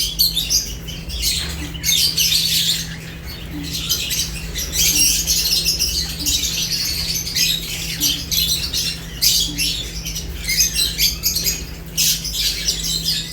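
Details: Lovebirds at food, harsh chirps in bursts separated by short gaps, with soft clicking and rustling and a constant low hum.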